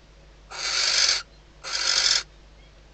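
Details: Inside a barn owl nest box in the Ebro Delta, a female calls to the arriving male days before her first chick hatches; two long, rough, noisy hisses with a short pause between, then the start of a third.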